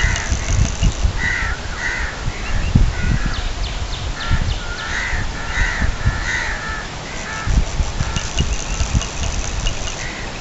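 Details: Domestic geese at a fish farm in daytime, Kamoke, Pakistan: harsh, nasal honks in quick uneven bursts, several per second at times, over a heavy low rumble of wind or engine noise.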